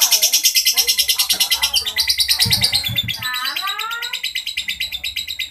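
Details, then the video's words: Lovebird giving a long, coarse ngekek: an unbroken stream of rapid, harsh, rasping high notes, several per second, briefly joined midway by a few low knocks and short sliding tones before the grating chatter resumes. "Lovebird Ngekek kasar panjang"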